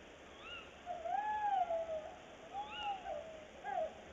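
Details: Tawny owl male on a branch and female in a nest box, early morning, 22 February 2018: two long quavering hoots, rising then sliding down, mixed with short higher arched calls, with faint hiss behind.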